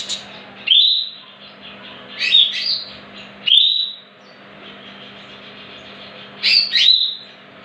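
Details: Greater green leafbird song used as a lure for other leafbirds: loud, sweeping high whistles, falling then rising, given in pairs with pauses between, over a faint steady low hum.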